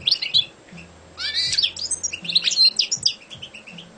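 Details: Champion competition European goldfinch singing: rapid twittering phrases of high, bright chirps and short buzzy trills, with a rising slurred note near the start and quick tinkling notes throughout, plus faint low hum in the background.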